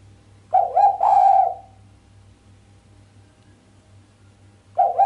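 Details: Sharp 'mbekur' cooing of a female island collared dove, lacking the final 'kuk' note and said to stir up the male. A low rolling coo breaks into a drawn-out purr, then a pause of about three seconds before the next coo begins; faint hum underneath.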